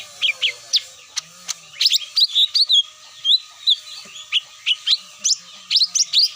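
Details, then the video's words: Cucak mini lure call, used by bird catchers to bring birds down: a lively run of sharp, slurred chirps and short whistled notes, mostly high-pitched, coming in quick bursts over a faint steady electrical hum. "SUARA ASLI PIKAT CUCAK MINI,DI JAMIN TURUN"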